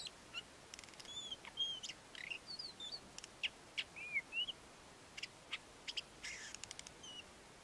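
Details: Courtship song of a male ant-eating chat: scattered thin whistles and quick upslurred and downslurred notes, broken by crackly buzzy bursts, delivered in loose irregular phrases against near silence.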